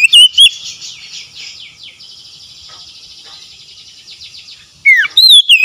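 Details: Oriental magpie-robin song used as therapy for a stressed, silent bird: a long stretch of soft, buzzy, rapid chattering notes, framed by loud slurred whistles at the start and end.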